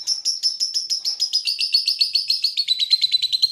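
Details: Continuous ngekek from a caged Pandora lovebird: a dense, shrill trill of high chirps, each note dipping slightly, the pitch gradually sliding lower across the run.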